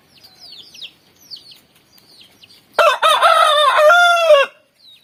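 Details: Rooster crowing in the morning: one loud, harmonic-rich crow of nearly two seconds, rising then held and falling at the end, after faint high chirps from small birds.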